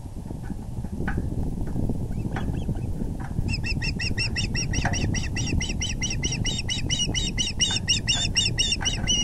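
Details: With the male bringing a big fish to the nest, April 6, 2020, 6:30pm, faint scattered notes and bumps lead into a sustained, rapid string of shrill osprey chirps lasting about six seconds, over constant low noise.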